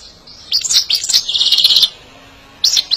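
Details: European goldfinch song used for song training and stimulating birds: a dense, high tinkling twitter of quick chirps and trills lasting over a second, then a short burst of bright notes at the end.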